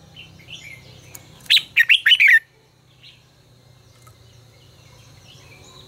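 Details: Red-whiskered bulbul singing a 'ché căng lửa' style phrase, used to train other bulbuls' voices: a quick burst of five or six loud, clipped whistled notes dropping and rising, then quiet with a low background hum.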